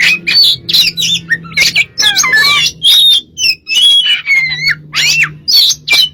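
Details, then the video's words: Caged Oriental magpie-robin in full, energetic song used as a lure to draw other birds to sing: rich varied whistles, rising and falling slurs and sharp chattering notes in quick bursts, over a steady low electrical hum. "burung kacer gacor untuk pncingan"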